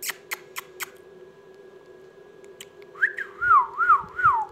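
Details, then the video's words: Ringneck parrot indoors: after a few sharp taps, a whistled phrase sweeps up, then wavers down in three or four smooth undulations, loud and tonal, with a steady low hum underneath. "ringneck parrot amazing parrot talking parrot"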